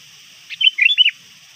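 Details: Trained sooty-headed bulbul lure bird calling rivals just before dusk: a quick liquid phrase of four bubbly notes against a faint steady hiss.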